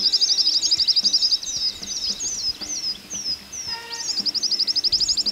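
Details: Southern Whiteface of continental Australia, sex unknown, singing from the top of a perch: very high, thin, rapid tinkling trills open and close the phrase, separated by sweeping, slurred whistles, all repeated in quick succession.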